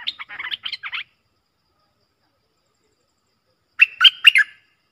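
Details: Streak-eared bulbul pair in a song duel, 30 October 2021: a brief jumble of chattering notes at the start, a long silence, then a short loud phrase of three or four rich whistled chirps.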